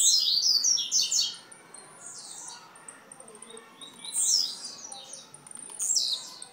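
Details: Blue-black grassquit recorded in Jacarepaguá, Rio de Janeiro, Brazil, singing rapid clusters of high buzzy downslurred notes, then a quieter pause and more buzzy bursts near the end.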